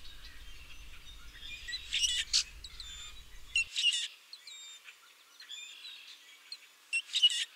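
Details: Common Grackle in southern Maine in late March giving squeaky, grating bursts like a rusty hinge or squeaky gate, in short clusters every couple of seconds; a low rumble underlies the first few seconds.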